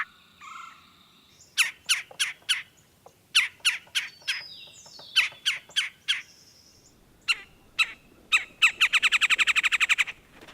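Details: Red-bellied Woodpecker in Kentucky: sharp, scratchy notes in uneven bursts, then a fast even roll of about a dozen notes, with faint whistles from other birds early on.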